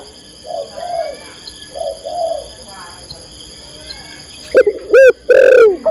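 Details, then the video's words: Spotted dove, a female calling to the male: quiet, hollow coos spaced about a second apart at first, then sudden loud, forceful coo notes close together at the end. "tekukur/derkuku betina memanggil jantan"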